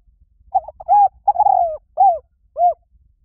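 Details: Spotted dove with a single cooing phrase: stammered introductory notes, a long descending coo, then two separate arched coos spaced about half a second apart, heard in quiet surroundings.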